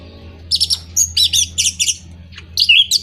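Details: Orange-headed thrush song used as a stimulus for moulting or silent birds: high rapid chattering phrases and trills over a low steady hum, ending with a loud whistled flourish.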